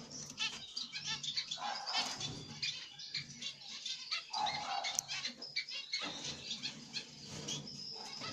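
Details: A zebra finch pair, a grey light-backed black-cheeked male and a pied female, with their chicks in the nest, give busy, high, nasal chips and short buzzy notes in quick bursts, with wing flutters and light rustling.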